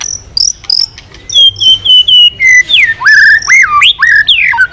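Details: White-rumped shama, driven to sing hard with continuous tail flicking. High thin whistles lead into loud, rich, deeply swooping whistled phrases that rise and plunge, with a brief fast trill between them.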